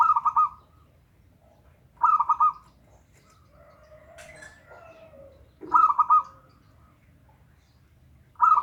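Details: Local zebra dove song used to lure a silent dove: four phrases of rapid chattering coos about two seconds apart, with a fainter sliding, squeaky sound between the second and third phrases.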